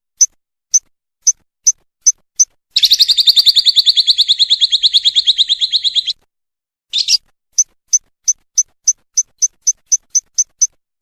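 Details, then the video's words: Lovebird kumat song used for contest training: sharp single chips spaced about half a second apart, then a three-second rapid buzzy trill, a brief burst, and more evenly spaced chips. "MASTERAN LOVE BIRD KUMAT"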